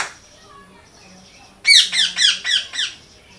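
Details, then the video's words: Parrot calling loudly in a series of five harsh, rapid chirps with a bright, buzzy quality, following a quiet stretch of faint whistles and low hum; the bursts come in quick succession and then stop. "Loud Parrot Chirping Natural Parrot Sounds Parrot Calling Sounds"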